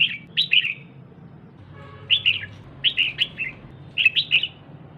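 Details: Female red-whiskered bulbul, calling to stimulate the male, repeats short bursts of two or three bright, slurred chirps about once a second, a faint low hum continuing underneath.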